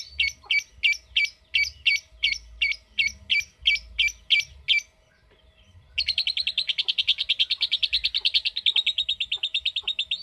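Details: Lovebird sound for drawing out a long ngekek trill: about ten spaced, sharp chirps, a short pause, then a fast, continuous, buzzy high trill of evenly rattling notes lasting over four seconds.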